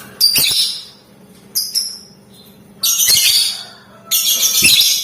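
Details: Lovebird in full ngetik ngekek chatter, used to provoke other lovebirds into calling: harsh, buzzy, noisy bursts, a long one, a short double, then two longer rasping runs about a second apart.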